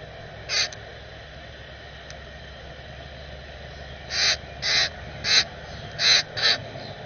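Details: A young Common Grackle begs to be fed while a parent feeds it at a bird cam, giving harsh, raspy begging notes: one early, then five in a quick run about every half second, over a low steady hum.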